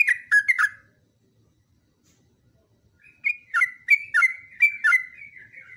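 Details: Vigorous yellow-vented bulbul in long ropelan training song: three loud bubbly notes, then about two seconds of silence, then a renewed run of rapid liquid chirps trailing into softer warbles.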